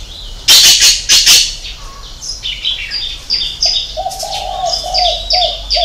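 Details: Spotted dove with a six-note 'hậu 3' coo: after loud bursts and bright chirping, one low, hollow phrase of repeated notes comes in the second half, with small birds calling above.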